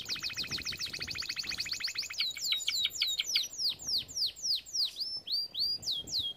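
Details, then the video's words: Training song of a canary: a fast, even trill of stacked chips followed by slower, loud downslurred whistles repeated about twice per second. "Most powerful song for training Canary"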